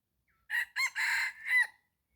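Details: Red junglefowl crowing in the morning while being lured with a decoy: one clipped four-part crow, two short hoarse notes, a longer strained middle, then a rising, trailing finish in silence.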